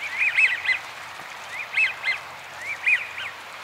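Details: American wigeon, rare winter visitor, at Donggang Township on 30 November 2020: three bursts of clear whistled notes about 1.2 seconds apart, each a quick two- or three-note rising-falling phrase, over a soft steady background hiss.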